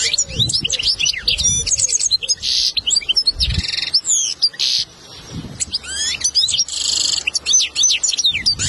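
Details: European goldfinch tutoring song for a fledgling: busy jangling twitters and slurred whistles broken by several short nasal buzzes, with a slightly quieter stretch in the middle and occasional low knocking sounds.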